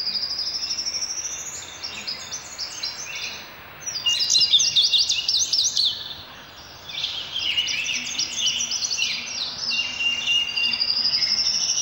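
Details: Indigo bunting singing: bright, high, sweet notes in quick paired phrases, some sliding and buzzy, repeated with short pauses, over steady faint background noise.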